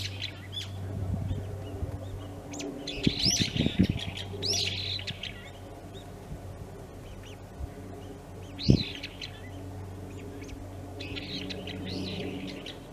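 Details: Brown-eared bulbul among early cherry blossoms in a park in Moroyama, Saitama Prefecture, Japan, on 17 March 2022; scattered loud screechy arched calls in several groups, with low background hum and occasional knocking sounds.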